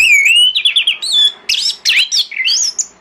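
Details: Morning song of an orange-headed thrush, played to lure others into answering: a long rising whistle, then fast varied mimic-like phrases of buzzy trills, sweeping whistles and sharp notes.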